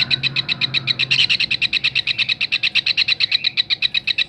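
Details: Kingfisher used as a tutor recording for songbirds, giving a rapid series of harsh, clipped notes repeated steadily about three times a second, with a faint low hum in the background.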